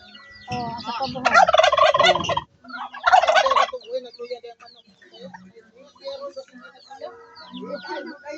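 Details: Turkey gobbles on a farm where turkeys and chickens are kept: two loud, rapid rattling gobbles, each about a second long, followed by quieter scattered clucks and soft farmyard sounds.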